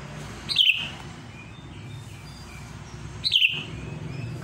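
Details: Sooty-headed bulbul in lively song, challenging a rival. A brief bubbly, warbled phrase that slides downward, then a quiet pause and the same phrase repeated about 2.7 seconds later over soft background hiss.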